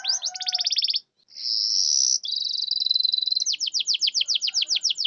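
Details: Canary singing to trigger silent canaries: a rapid rattling trill, a long steady high whistled roll, a lower sustained buzzy trill, then a run of quick descending strokes repeated several times a second.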